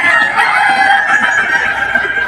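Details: Kukuak Balenggek rooster crowing at the 2025 Boko class final, the top class of a crowing contest in Sawahlunto, West Sumatra; a loud, steady, ringing crow held throughout, with other contest sounds faintly beneath.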